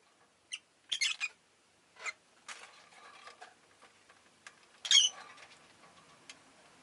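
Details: Caged rosy-faced lovebirds calling often on this day; a quick cluster of raspy chirps near the start, then soft rustling and patter before one loud shrill burst, with quiet background noise.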